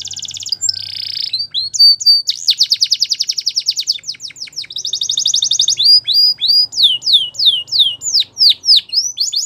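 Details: Belgian canary song played for training: rapid trills of repeated notes, buzzy rolls, and sharp downward-sweeping whistles, phrases changing every second or two, loud and continuous.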